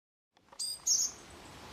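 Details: A Japanese tit gives one short burst of very high, thin notes: a quick stacked chirp followed by a brighter, slightly longer note. Faint background hiss follows.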